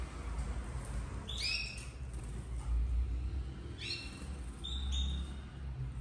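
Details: Young domestic canaries, red frosted colour, raised in captivity in 2024, giving three short high chirp groups with layered overtones over a heavy low-pitched hum.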